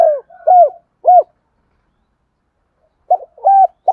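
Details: Spotted dove giving a double coo used as a lure to attract wild doves: low, mellow coo notes in a quick group of three, a silent pause, then another three-note phrase.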